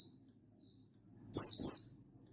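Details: Buxtoni-type mountain white-eye calling a rival in wild-style song, recorded 16/8/22: after a quiet pause, one pair of bright, high, steeply falling notes over a faint low hum.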